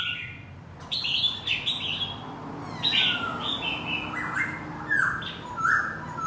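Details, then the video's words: A decoy laughingthrush sings as it dances, with bursts of bright high chirps and whistled slurs spaced about a second apart over a steady low noise floor. "Khướu mồi hót múa"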